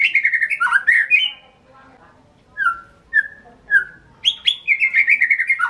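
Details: White-rumped shama from Indonesia's songbird hobby delivering a rich warbled phrase, then three separate falling whistles after a silence, ending with another fast tumbling run.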